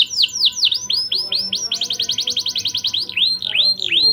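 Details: Canary in full song as a stimulus for young birds' mating urge; swooping slurred notes give way to a quick, even rattle of short chirps, then deep dipping whistles return.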